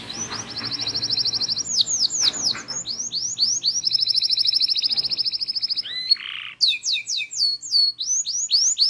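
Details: Vigorous local canary tutor song with a full mix of phrases: buzzy rapid trills alternating with strings of swooping whistles, a brief harsh note midway, then more slurred notes and fast rolls.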